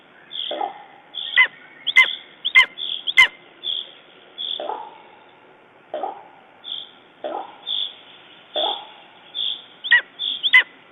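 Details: Lesser spotted eagle at the nest in Estonia, 14 June 2011, following a raven attack: a few harsh clipped yelps mixed with lower, drawn-out falling notes, repeated irregularly, and soft high tones behind.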